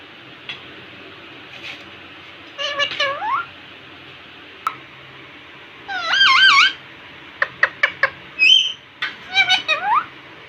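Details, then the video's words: Indian ringneck parakeet talking in front of a mirror indoors: scattered short squeaky syllables, then a louder warbling, wavering phrase near six seconds and a run of sharp clicks and whistled notes, in a cute high voice in a small room. "Cute Talking Parrot in front of mirror"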